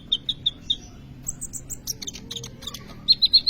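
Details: Sunbird called kolibri ninja in lively song, serving as a lure for training other birds. Opens with a quick series of repeated high notes, then scattered sharp ticks, ending in another rapid repeated series.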